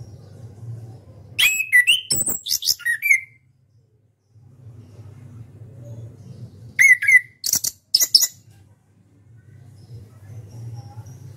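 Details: Caged orange-headed thrush, an Indonesian national champion, with two bursts of song: tumbling slurred whistles and sharp high notes, separated by several seconds of low hum.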